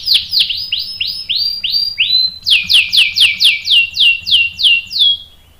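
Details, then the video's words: Canary song used to draw a male canary into singing back: a series of high whistled notes, each sliding sharply downward, repeated about four times a second. The series shifts briefly to a steadier tone, then resumes brighter and faster. "PANCINGAN KENARI GACOR bikin EMOSI jadi NYAUT GACOR NGEROL | CANARY SINGING"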